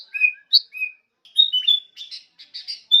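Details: Brief sooty-headed bulbul phrase for training songbirds: a few separate clear whistles, a sliding note, then soft bubbling chatter and a final bright whistle.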